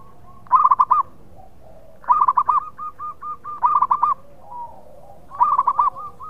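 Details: Local zebra dove, a lively, loud-voiced singer, used as a lure for doves in breeding mood: bursts of quick rolling, bubbling coo notes followed by trailing softer notes, phrases repeated about every one and a half seconds over quiet background.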